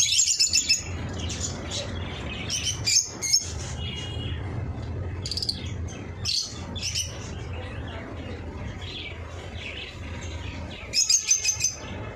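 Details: Eye-ring lovebirds giving scattered shrill, sharp chirps in short bursts, a noisy cluster at the start and another near the end, with softer chatter and a low hum between.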